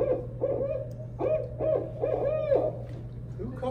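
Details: A Barred Owl call, apparently a male's, played as a recording during a Georgia owl prowl: a rhythmic series of deep, rolling hoots in the 'who cooks for you' pattern, ending in a drawn-out slurred note, over a steady low hum.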